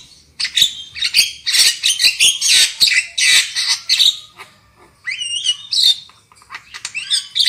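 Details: Black-winged myna song used as a lure to spur loud singing: dense harsh chattering notes in quick irregular succession, a short pause, then rising whistled phrases mixed with more raspy squawks.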